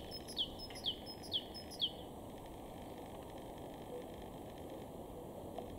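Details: Great tit in a garden in Weener, East Frisia, far northwest Germany, in April, singing four quick high two-part phrases, each a thin note then a sharp falling one, then stopping amid steady low background hum.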